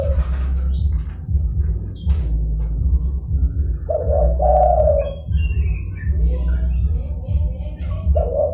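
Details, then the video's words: Zebra dove calling to lure wild doves: one mid-pitched, trilled coo near the middle and another beginning at the end, mostly masked by a steady low hum, with scattered faint high bird chirps. "DERKUKU GACOR (DERKUKU PIKAT)"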